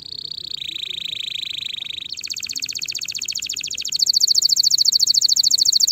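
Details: Canary song recorded to teach fledglings before the next season: a steady buzzy trill, then a lower rapid roll, then a bright metallic rattle that grows louder and faster toward the end.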